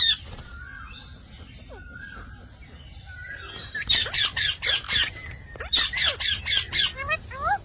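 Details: Rose-ringed parakeet, called Indian parrot, first gives soft scattered whistled notes, then two fast runs of loud harsh squawks, about five to six in each run, ending with a few rising chirps.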